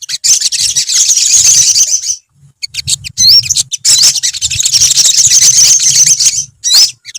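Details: Olive-backed sunbirds in a colony give a continuous high, shrill twitter of rapid chirps in two long bursts, separated by a brief lull, over a soft low hum.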